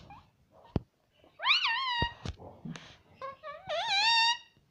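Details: Pet parrot talking, apparently saying mummy: a wavering rising-falling call, a few clicks and knocks, then a longer quavering call at the end.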